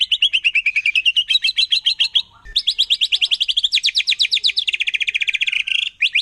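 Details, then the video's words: Forest white-rumped shama, wild, singing in a way said to provoke other shamas: continuous high rapid trills that shift in pitch from phrase to phrase, with only one brief pause. "Murai Batu Hutan Kalau udah Nembak Bikin Emosi Burung Murai Lain"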